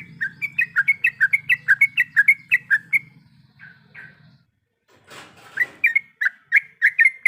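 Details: Sooty-headed bulbul female in breeding condition calling to a male. Rapid chirping phrases of clipped, bouncing notes for three seconds, then sparse notes and a brief noisy rustle, before the quick chirps resume. A low hum is heard early on.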